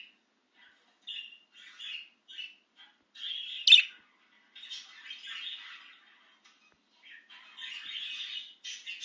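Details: Out-of-cage budgie, excited, keeps up a chattering warble of short scratchy chirps and longer buzzy phrases, punctuated by one sharp loud click.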